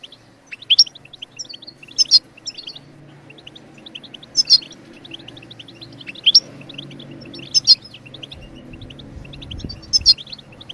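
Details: European goldfinch chirps, played to prompt other birds to sing: a looping pattern of short high notes broken by a bright piercing phrase every one and a half to two seconds, over faint low hum.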